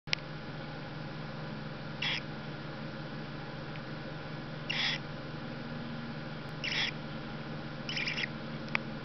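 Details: A Barn Owl chick about to hatch, pecking through its shell, calls from inside the egg with short, breathy, hissing "gue" bursts over a steady hum; recorded at Kakegawa Kachoen bird park, Japan.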